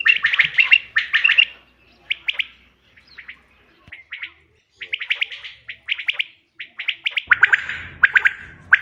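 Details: Quail call used to lure birds for hunting, dated 5 June 2025: bursts of quick, sharp triple pulses separated by short pauses, some phrases fainter, with a low rumble near the end.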